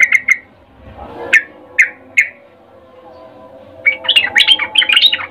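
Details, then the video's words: Ngecuplik mating call of a female sooty-headed bulbul summoning a male: three bright chirps, then a few isolated notes and a pause, before a hurried burst of bubbly twittering at the end. "Trucuk BETINA memanggil Jantan Suara Birahi Ngecuplik"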